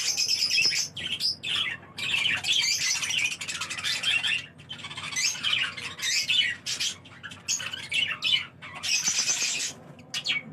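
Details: Budgerigars kept as pets give a steady stream of high, buzzy warbling chatter and sharp chirps in repeated bursts, broken by short quiet gaps.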